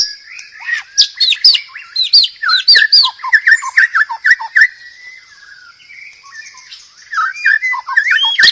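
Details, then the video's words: Loud masteran song of a murai batu (White-rumped shama): quick bursts of rising, upslurred whistled notes, then a softer, sparse passage before rich varied phrases resume. "burung murai batu paling gacor masteran keras.. dan ampu.."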